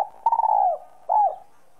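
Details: Tail end of a whistle-voice spotted dove phrase, used to stimulate other doves: a rapidly pulsed coo that falls away, then one arched closing coo, over a steady low hum.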